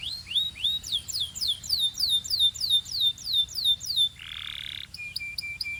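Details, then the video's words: Belgian canary, singing to stimulate females and warm up other canaries, delivers an even series of slurred descending notes about three per second, then a short harsh buzz and clipped high chips. "Corner to Warm Up Belgian Canaries and Fire Up Females"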